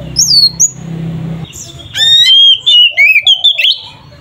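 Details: Oriental magpie-robin giving its ngeplong fighting song to provoke rival birds: a few high slurred whistles, a brief noisy gap, then a run of bright whistled phrases with sharp rising strokes.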